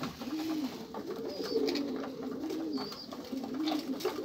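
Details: Pigeon cooing continuously: throaty, rolling coos repeated in undulating bursts, accompanied by occasional faint high whistles.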